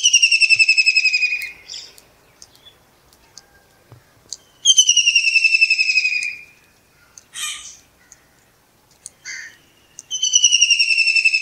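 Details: Kingfisher singing from a perch in early morning, Pakistan: three descending pulsed trills spaced several seconds apart, with short scratchy notes between them.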